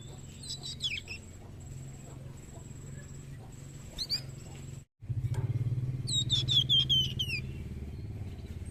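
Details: Young Flamboyan singing as a master song for training birds: scattered high chirps over a low hum, a brief dropout, then a string of sharp descending whistled notes.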